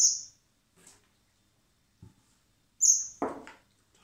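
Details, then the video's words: Common blackbird chicks hand-fed in spring at a wildlife recovery centre before release; high thin squeaky begging notes near the start and again near the end, with soft handling and feeding noises between. "Cebando a los polluelos de mirlo común (Turdus merula)"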